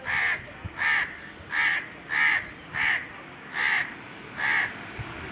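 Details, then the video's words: Cawing Indian crows perched on top of a tree during a very hot summer day, seven harsh, nasal caws repeated steadily about every three-quarters of a second over a faint low background. "Indian Crows cawing"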